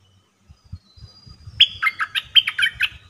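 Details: Caged red-whiskered bulbul used to lure birds for trapping, singing in 'dok taeng' style, dated 1 September 2021; soft low taps precede a lively run of eight or so loud, bubbling whistled notes.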